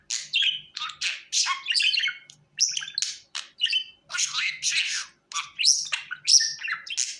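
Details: Chattering budgerigar, recorded to call the bird to the hand: dense, fast, squeaky warbling phrases of high chirps and buzzy trills, broken by a few short pauses.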